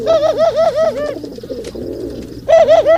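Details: Male pigeons calling while mating: a loud run of bright wavering notes, a quieter stretch of murmuring coos, then another loud ringing burst.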